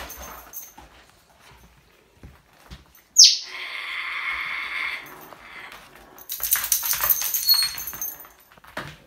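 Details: A female African grey parrot, alarmed by a Cairn terrier entering her room wearing a Christmas sweater, gives a sudden piercing 'jungle' screech, then a harsh, hissing growl.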